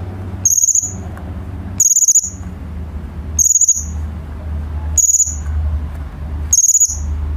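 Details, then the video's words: Cucak cungkok bulbul tutor song for training home birds: a high, trilled, slightly buzzy whistle repeated five times, about every 1.2 seconds, with a low hum in the background. "KICAU BURUNG CUCAK CUNGKOK"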